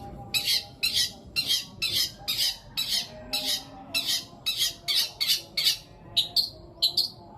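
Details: Long-tailed shrike in a 'greja petir kuntilanak' fill passage: harsh, scratchy squawk notes repeated roughly twice per second in a steady series, ending with a few quicker, thinner notes; low hum beneath.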